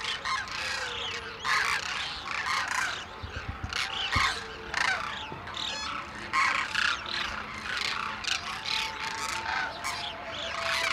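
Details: Demoiselle cranes wintering at Khichan village in India, gathered where locals scatter grain each early morning: a dense, continuous chorus of harsh overlapping calls from many birds, with a faint low hum.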